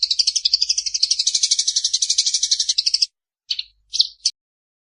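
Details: Daytime song of a Eurasian tree sparrow, described as melodious and soothing to sleep: a steady three-second stream of quick, high chirps, followed by three separate short notes after pauses.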